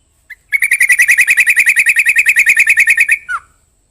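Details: Yellow-vented bulbul giving one brief note, then a fast, steady trill of identical chirps, roughly three per second, held for about two and a half seconds and ending in a falling slurred note.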